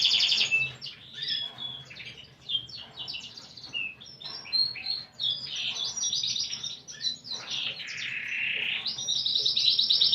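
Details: Canary singing with a unique 'cengkok' style in broken phrases: scattered short chirps and slurred whistles, some quieter gaps, building toward a fuller warbling trill near the end.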